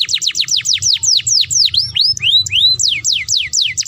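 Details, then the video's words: Canary singing a mating lure: a rapid run of sharp, high whistled notes that slide downward, about six per second, then a few rising slurs before the falling series resumes, clear over quiet low background noise. "PANCINGAN KENARI KAWIN AMPUH TERBARU ! KENARI APAPUN LANGSUNG GACOR MINTA KAWIN ! BEST CANARY VOICE"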